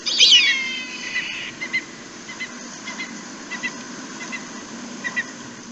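A Red-tailed Hawk gives one harsh, hoarse scream that slides downward over half a second, followed by faint, short chipping notes at intervals.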